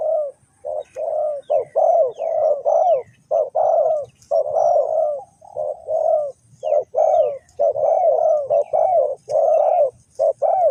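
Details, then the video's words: Spotted dove, recorded in a bird-trapping setting, cooing in low, hoarse, rolling notes delivered in quick bursts about once a second, with faint high chirps from small birds behind. "The Sound Of dove"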